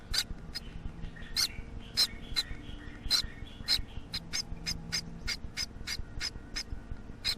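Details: Young Gouldian finch giving rasping, hissy calls, spaced irregularly at first then quickening into a rapid run of short buzzy bursts, over low background hum.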